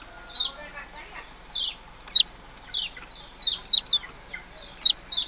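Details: Yellow-bellied prinia chirping steadily, a repeated series of high, sharply descending notes, occasionally doubled, coming every half-second or so.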